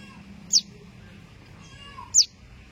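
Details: A fallen baby Common Tailorbird, separated from its mother and calling so she may come looking for it: two sharp, high, down-slurred chirps about one and a half seconds apart over a faint low hum.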